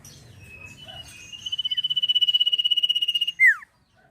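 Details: Sirpu bird singing energetically in the rapid trilling 'ngetir' style: a buzzy, evenly pulsed trill held on one high pitch for about two seconds, ending in a sharp whistled note that sweeps steeply downward. Faint low rumble underneath.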